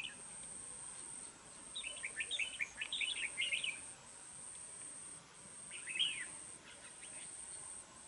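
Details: Caged red-whiskered bulbul used as a trapping and fighting decoy in Đồng Nai, Vietnam, singing eagerly in a harsh voice. A rapid run of sharp, warbled notes is followed by a second shorter burst, with a steady high whine behind.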